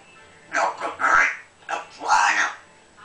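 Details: Trained thirteen-year-old female African grey parrot talking indoors, imitating human speech: two short, breathy, voice-like phrases of about a second each, separated by a brief pause, with a faint steady hiss behind.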